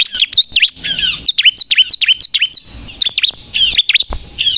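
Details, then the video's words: Energetic crystal-style Bar-winged prinia song, played as trapping bait and to goad other birds into singing: shrill, jagged chirps rising and falling steeply, delivered in short bunches with slight breaks. "suara burung ciblek kristal gacor untuk pikat dan pancingan ciblek bahan agar bunyi emosi"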